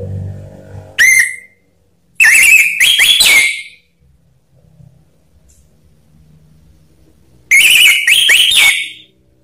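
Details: Orange-headed thrush singing on a lure track for reluctant captive birds: a short whistled note, then two bursts of harsh chattering with rising whistles, separated by a long quiet gap with faint low noise.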